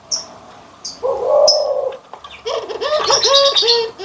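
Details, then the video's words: Barbary dove cooing, white and brown birds compared: a steady low held note, then a quick series of short arched notes in a rolling run. Thin high chirps from other birds come in between. "PERBEDAAN SUARA ANGGUNGAN BURUNG PUTER PUTIH DENGAN PUTER COKLAT"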